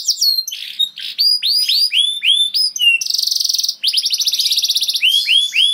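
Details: Canary (kenari) delivering long gacor song meant to trigger other birds to sing: swooping downward whistles, then a dense rattling trill, more swept notes and a second buzzing roll.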